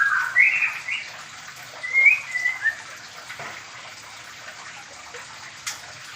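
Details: Medan-type white-rumped shama in a small aviary during pairing, with rich whistled notes early on and a brief sliding phrase later, partly masked by a loud rushing, water-like hiss.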